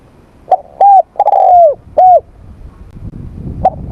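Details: Spotted dove in morning voice training, giving mellow mid-pitched coos: short hooked notes, then a longer drawn-out slurred coo sliding downward, a pause, and further short coos near the end.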